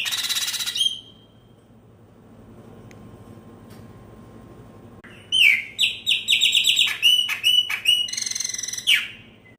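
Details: Chopi blackbird, known as pena branca, at New Year: a brief whistle, several seconds of near quiet, then a rapid string of loud, clear, upslurred and downslurred whistles, about two or three notes each second.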